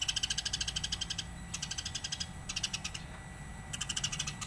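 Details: House sparrow calling persistently, recorded as a master track for tutoring songbirds: four bursts of quick, high, clipped chirps, each lasting about a second, separated by short pauses, with a faint steady background hum.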